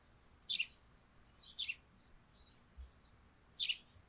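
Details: Morning on a thatched roof wet with dew, where sparrows utter rough, buzzy chirps: one loud chirp, a pair of quicker softer ones, then another loud chirp near the end.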